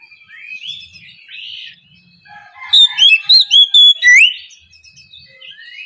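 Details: Oriental magpie-robin singing in ngeplong style in the morning, used as a lure to get lazy birds singing. Soft whistles come first, then a loud burst of about six clear, sliding whistled notes that rise and fall, followed by quiet warbling.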